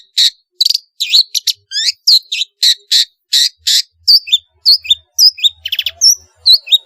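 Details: Energetic Long-tailed shrike song full of varied mimicked fill-ins, played to draw reluctant shrikes into singing: a brisk string of sharp high chirps and twisting squeaks, shifting into repeated looping whistled notes.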